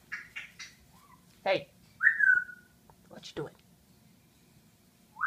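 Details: Male pet military macaw indoors, excitedly playing with bathroom towels, laughing and cooing: short harsh squawky bursts and a drawn-out falling whistled note, in a quiet small room with a soft background hum.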